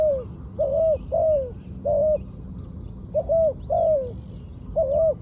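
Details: Spotted dove trained as a decoy for ground luring, uttering hoarse, slightly drooping coos in uneven pairs and singles, with faint chirping of other birds far behind.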